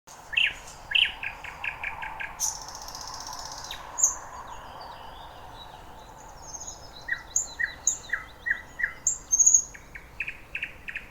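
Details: Thrush nightingale singing at Lake Iidesjärvi, Tampere, Finland: loud, varied phrases of rapid clicking runs, a harsh burst, pure whistles, then a series of repeated chock notes against a low background hum.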